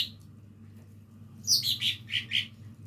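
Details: Young lesser green leafbird learning to sing: after a quiet start, a brief run of five or six loud chirpy notes, each sliding down from high to mid pitch, over a low steady hum.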